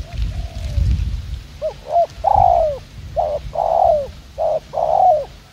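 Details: Spotted dove used as a decoy bird for trapping, cooing in the fast style called 'gù tốc độ': after a faint opening note, low mellow coos come in quick pairs, each longer note sliding downward at the end, over low background rumble.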